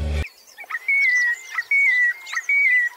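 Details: Marsh Sandpiper in Sri Lanka giving three clear, high whistled notes, each slightly falling, repeated about every 0.8 seconds, after a brief thump, with faint birds chirping behind.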